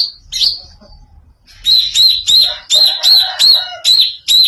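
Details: Greater green leafbird singing oddly: after a quiet start, a steady series of about eight sharp high whistled notes, each with a quick upward flick, repeated roughly every half second.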